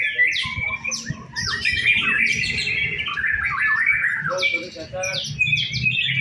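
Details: White-rumped shama in a simulated song contest: busy run of bright whistles and quick descending slurs, notes jumping between high and middle pitch, with a faint low hum beneath.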